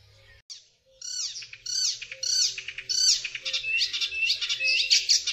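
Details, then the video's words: An Icterine warbler (Hippolais icterina), a small migratory warbler, delivers a fast, varied, almost continuous jumble of harsh chattering notes, squeaky whistles and rising nasal phrases, high-pitched throughout. "Zaganiacz zwyczajny.Odgłosy i dźwięki jakie wydaje Zaganiacz zwyczajny.Jak robi Zaganiacz zwyczajny?"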